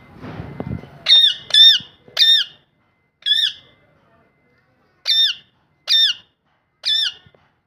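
A parrot gives seven short, harsh, nasal calls, each dipping slightly in pitch, spaced about one second apart with a longer pause midway; a brief rustle comes first.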